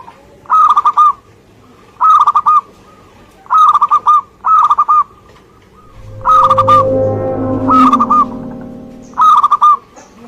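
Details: Active singing from a local Indonesian zebra dove: repeated short clusters of rapid, bubbling coos about every one and a half seconds, partly overlaid midway by a loud droning mechanical noise.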